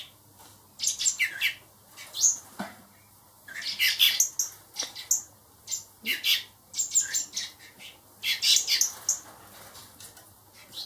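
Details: Hand-raised blackbird nestlings, four young birds raised to be released, call in a steady stream of scratchy, high squawks, bunched in short overlapping runs separated by brief gaps, indoors.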